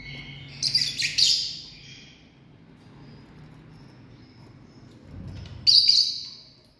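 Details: A family group of lovebirds giving harsh, shrill chirps: a quick cluster of three or four screechy notes, then a long quiet stretch before one more loud rasping burst near the end.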